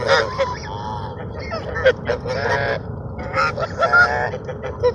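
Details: Ducks fed at Sunset Park, 10-10-17, keep up a steady chatter of nasal honks and drawn calls, many birds overlapping, with louder bursts near the end.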